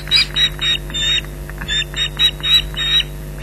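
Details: Alarm calls of ospreys at Loch Garten, Scotland, confronting an intruder in July 2011; irregular, harsh, slurred yelps in short groups, fairly faint against background hum.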